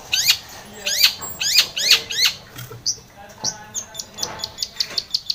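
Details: Long-tailed shrike lure for provoking a silent shrike to sing: five rising buzzy trilled phrases, then a run of short sharp whistled notes that quicken toward the end.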